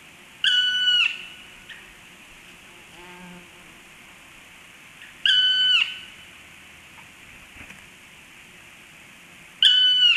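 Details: Black stork giving a strange call. A loud, clear whistled note with stacked overtones holds level and then lifts slightly at the end. It comes three times, about every four and a half seconds, with a faint low buzzy note between the first two.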